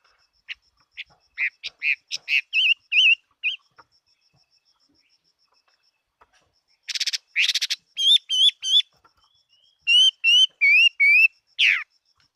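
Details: Chinese hwamei, a fighting-type bird recorded in 2018, sings loud clear whistled notes in quick runs, then pauses; after a gap come upslurred and looping whistles repeated in rapid bursts, with a faint steady high tone behind.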